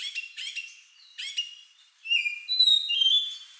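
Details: Magpie-robin song, odd and lovebird-like, meant to spur other birds into singing; three quick chirpy bursts, then long clear whistled notes stepping between pitches.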